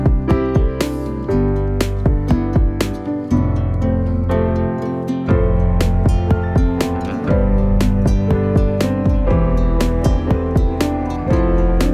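Gentle plucked instrumental music with harp-like notes and steady low tones, and no animal sound anywhere.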